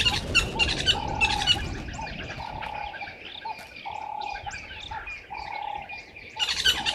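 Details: Red-billed buffalo weavers collecting nesting material at dawn, 05:30 on 11/08/2023, at Gowrie dam waterhole, Djuma Game Reserve, Sabi Sand Wildtuin, South Africa: bursts of sharp, chattering chirps at the start and end, over a steady, repeated mid-pitched hum and other bird notes.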